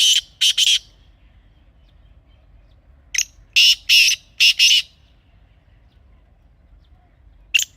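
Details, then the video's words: Grey francolin (teetar) calling, recorded for use as a hunting call: loud, harsh, saturated notes in two bursts, first a pair, then a run of four, with a single note near the end and quiet between. "تازہ تیتر کی اصلی آواز | Teetar Ki Real Voice 2026 | Best Teetar Calling Sound for Hunting"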